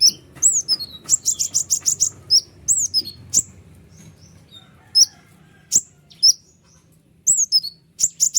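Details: White-winged triller giving long twittering song meant to make other trillers respond: quick repeated high chips and slurred downward whistles, a pause, then more sharp notes and a closing rapid burst.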